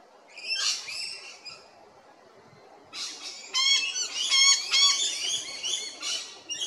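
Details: Rainbow lorikeets in South Australia at Big Swamp Station: a short harsh screech burst, a pause of about a second and a half, then a long loud series of strident, ringing squawks in quick succession.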